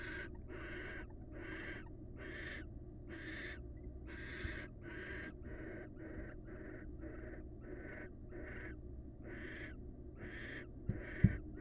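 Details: Wild barn owls bonding as a pair: a long run of short rasping hiss bursts, regular and rapid, ending with a couple of sharp knocks, steady hum underneath.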